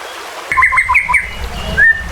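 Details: Emotional white-rumped shama song used to spur rival birds to fight and sing, over a background of running water; a brief fast string of clipped whistled notes, then one rising whistle.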